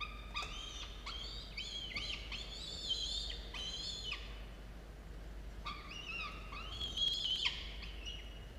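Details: Nestling falcons, a pair of chicks watched by a nest camera at 06:02 on 27 October 2022, calling in harsh, quavering, repeated squeals, closely run together, with a brief pause midway and constant background hum.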